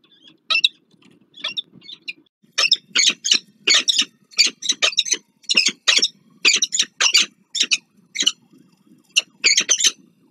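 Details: Peregrine falcons at a nest on the Palace of Culture and Science in Warsaw, Poland, 26 April 2024. The male arrives with food and the female feeds small chicks. Harsh, scratchy bursts come in irregular runs of two or three per second, with brief pauses.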